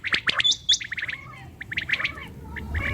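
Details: Common quail at night, possibly a female, giving sharp, liquid chirping notes in quick clusters, some with a bubbling, gargled edge, over a soft background hiss.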